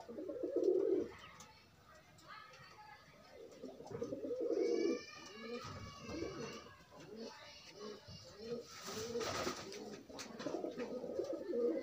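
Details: Pigeons pairing up unconfined, giving low murmuring coos at the start and middle, mixed with faint higher chirping notes, taps and a brief burst of rustling noise.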